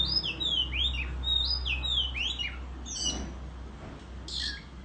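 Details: {'text': 'Oriental magpie-robin in a countryside singing contest with tail-fanning display; string of clear downslurred whistles about twice per second, then rougher scattered notes, over a steady low hum.'}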